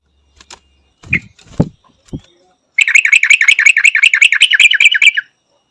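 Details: A few soft knocks and thuds come first, then a Yellow-vented bulbul launches into a long, even stream of loud, bubbly, bell-like chirps for more than two seconds.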